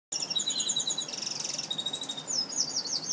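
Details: Pet red siskin and canary hybrid sings a bright, high, continuous twittering song. Rapid chirps and trills run without pause, ending in a series of sweeping, rising-and-falling whistled notes. Faint background hiss.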